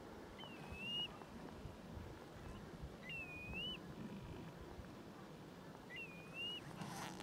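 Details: Northern lapwing (Vanellus vanellus) gives three slurred, wheezy 'pee-wit' whistles about every three seconds over rising wind. Recorded 6 February 2012 in snowy, icy winter marshland near Burnham Norton on the Norfolk coast, England, where lapwings were everywhere among hundreds of geese.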